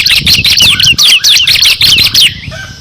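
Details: Loud, close bar-winged prinia in gacor ngebren song, a six-variation piece for training competition songbirds: dense, unbroken stream of high, scratchy downslurred chirps lasting over two seconds, then stopping abruptly.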